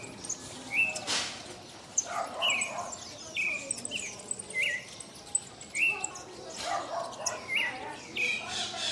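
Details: Pale-breasted thrush singing inside a city amid truck noise, passing people and barking dogs; short clear whistled and slurred notes, mostly high, come in quick succession about once or twice a second over a faint murmuring background.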